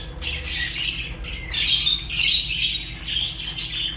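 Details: Fischer's lovebird chirps: bursts of shrill, rasping squawks and twittering notes, a short gap near the start, then a loud overlapping run of chatter before it eases off.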